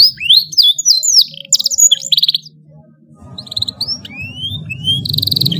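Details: Canary singing a long tutor song for training young birds: quick rising whistles and short buzzy trills, a pause, then thin upslurred notes over a low rumbling background.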